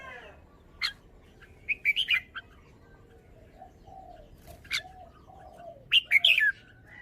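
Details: Red-whiskered bulbul displaying its song phrasing: brief sharp chirps and quick warbled bursts spaced a few seconds apart, with faint lower calls from other birds in the background.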